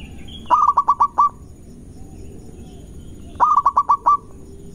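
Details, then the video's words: Zebra dove, a local Indonesian bird, giving a quick lure song used to anger rivals: two phrases of six stuttering mid-pitched coo notes, the last note held slightly longer, about three seconds apart, with a soft hum behind. "Perkutut Lokal Gacor Cepat Bikin Emosi Lawan"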